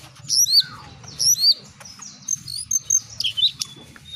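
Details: Brown shrike calls used as a lure for other birds: two loud bursts of sharp, high, upswept chirps early on, then shorter scattered squeaky notes, over a faint low background hum.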